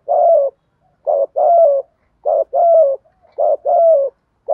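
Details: Spotted dove decoy cooing in a practiced pattern to draw wild doves into calling. Three phrases, each a short hoot followed by a longer, slightly descending coo, spaced about a second apart.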